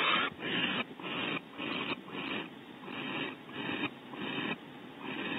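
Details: Barn owl pair at a nest cavity at Starr Ranch, California, on a bonding visit with the male bringing stored prey to the female; a run of rasping, hissy bursts, about two per second, fairly irregular, with background noise.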